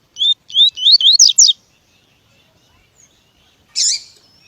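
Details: Double-collared seedeater tui tui song, used to excite and train other seedeaters, with a female call also present in the recording: about six quick rising whistled slurs, a short gap, then one rough buzzy note.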